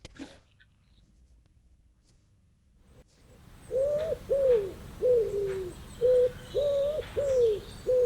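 A pigeon gives a run of seven short, arched cooing notes, steady and low, about two each second, after a few seconds of near silence.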